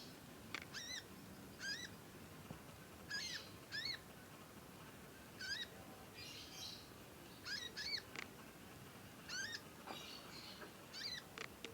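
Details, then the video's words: A young conin learning its song and chirping persistently: clear, ringing, arched notes in pairs and short clusters, repeated every second or so, with faint hiss behind. "ANAKAN CONIN, NYECET PANJANG BELAJAR BUNYI & GACOR"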